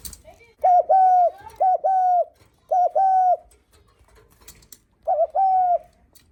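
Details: Spotted dove cooing to greet visitors. Four paired phrases, a brief note then a sustained flat coo, come in a quick run, then a pause before a final pair. The tone is steady and mellow.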